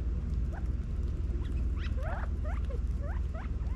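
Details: California quail feeding in a backyard in Las Vegas, Nevada, in fall 2022: several short, rising chirps, some quickly doubled, scattered over a steady low rumble.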